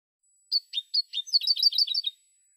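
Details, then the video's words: Spanish European goldfinch in a silvestrismo song recording: three spaced, ringing chirps that speed into a dense, jangling twitter of high repeated notes for over a second, then stop cleanly. "شريط حسون"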